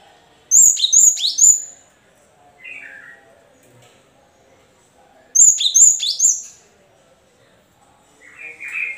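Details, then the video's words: Lure song of a cinereous tit meant to get other caged birds singing: two phrases of three ringing, downward-slurred whistles about five seconds apart, with softer lower chirps between them. "pancingan gelatik batu macet bunyi biar gacor sahut sahutan"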